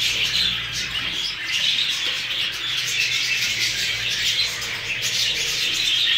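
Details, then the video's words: New Hagoromo budgerigars, several birds together, keep up a dense, continuous chattering of overlapping squeaky warbles and chirps, with brief whistled notes rising through the steady high-pitched din and no pauses. "عصافير البادجي الجديده .. البادجي الهوجورومو"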